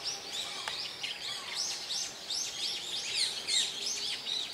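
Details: Brown-eared Bulbuls calling in Hourai Park, Ōta City, Tokyo: a dense, overlapping stream of shrill, high arched notes that rise then fall, repeated about three times a second, with steady background hiss.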